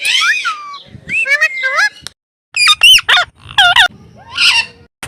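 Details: Blue Indian ringneck parrot, a pet, on an evening walk, giving a series of loud harsh squawks and screechy rising and falling calls in short bursts with brief pauses between them.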